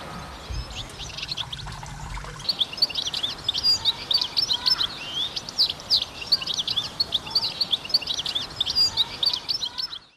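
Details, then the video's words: Goldfinch singing: after a quiet start, a fast tumbling stream of twittering and tinkling high notes with short buzzy trills, continuous and lively, over a steady background hiss. "Goldfinch Singing"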